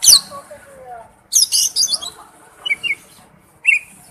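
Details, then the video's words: Male oriental magpie-robin calling to a female: scattered high chirps and short slurred whistles separated by pauses, with faint low background sounds. "tiếng chích chòe than gọi mái/chích chòe than trống kêu"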